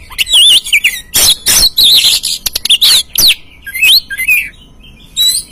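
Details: Oriental magpie-robin singing as a lure for a caged bird: dense, energetic phrases that mix warbled whistles, upward slurs and rasping bursts, almost without pause.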